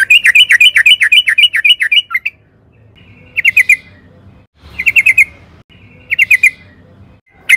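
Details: Sooty-headed bulbul lure song for training caged birds, loud bursts of rapid bubbling notes near the upper-middle range, a long run then short repeated phrases separated by pauses with low background hum.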